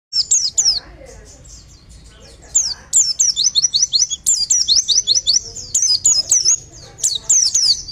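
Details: Oriental white-eye song in the Bustomi style, used to lure birds: rapid, very high, thin twittering chirps and slurred whistles in dense bursts, with a quieter start before the full outpouring.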